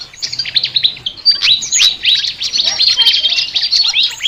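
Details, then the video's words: Flycatcher giving a highly unusual chattering song: a few scattered high notes, then a dense, rapid jumble of upswept and downswept whistles. "BURUNG SIKATAN NGOCEH TER UNIKK"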